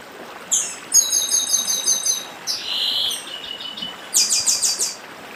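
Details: Northeastern chestnut-bellied seed finch singing dedim: a long rattle of repeated high notes, a drawn-out whistle, then another quick burst of notes, over steady water noise.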